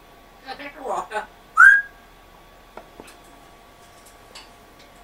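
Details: African grey parrot that speaks with a Yorkshire accent gives a few soft muttered syllables, then one loud, clear rising whistle, followed by faint clicks.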